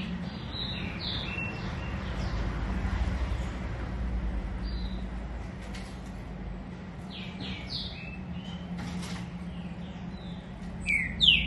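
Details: Green-winged saltator singing: short clear whistled notes, some slurred downward, given in scattered bursts at the start, middle and end, over a steady low hum and background noise.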